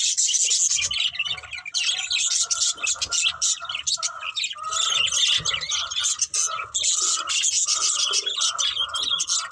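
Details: Budgerigars, a breeding pair kept as a family, chattering continuously: dense, scratchy high chirps and warbles with repeated short steady tones lower down, almost no pauses throughout.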